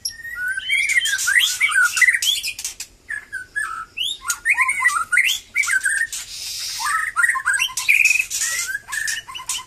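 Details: White-rumped shama, Batu Kurau strain, singing more freely after its moult. Bursts of loud, rich whistles slur up and down, broken by short pauses and crackling clicks between phrases.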